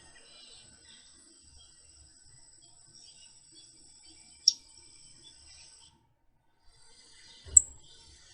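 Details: Prairie Warbler chip calls: two sharp, high chips about three seconds apart over a steady high insect-like hiss.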